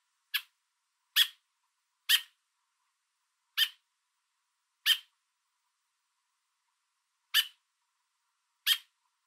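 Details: Perched on a fence with food for its fledgling, an American robin in Southern Ontario, Canada calls loudly at a nearby person: seven sharp, harsh notes at uneven intervals of one to two and a half seconds, nothing else audible.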